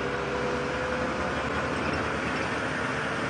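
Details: A steady vehicle engine drones with a constant humming tone and no animal sound.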